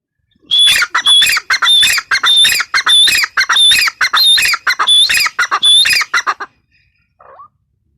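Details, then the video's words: Female grey francolin calling in a loud, harsh, rhythmic series of about eight grating phrases, each with a thin whistled overtone, for six seconds before stopping, followed by one faint short note. "Teetar awaz | teetar sound | gray francolin teetar sound | female teetar awaz"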